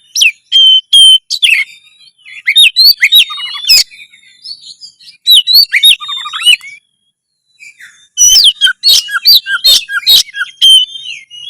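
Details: Oriental magpie-robin (kacer) in a loud, lively song to raise breeding urge and fighting mood; varied whistles, trills and chattering phrases come in three long bursts separated by short pauses.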